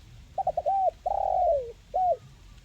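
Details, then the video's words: Spotted dove phrase, local tekukur, played to stir reluctant birds into singing: three clipped notes, an arched hoot, a long coo falling away, and a separate closing hoot over low background noise. "SUARA BURUNG TEKUKUR MERSIK SANGAT REKOMENDASI UNTUK TERAPI BURUNG MALAS BUNYI"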